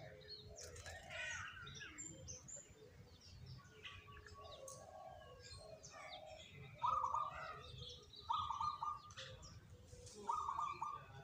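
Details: Zebra dove, one of three chosen as the most diligent singers, kept as lure birds; three short, bright, trilled coo phrases arrive in the second half, over busy high chirping from other birds.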